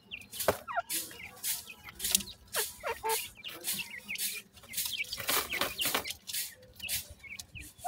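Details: Chicks of grey francolin cheeping: clear, high chirps that often slide downward, spaced unevenly over several seconds, mixed with loud broadband thumps and rustles nearby.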